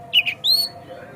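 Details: Oriental magpie-robin lure sound meant to get other magpie-robins singing and opening their tails: two short harsh chips followed by a rising, clear whistled note.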